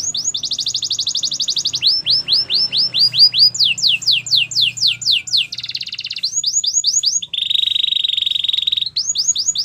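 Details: Gloster canary alternating tours: a long bright trill, strings of sharply falling whistled slurs, a dense rattling roll and a flat buzzy trill, each phrase repeated rapidly, over a faint low hum.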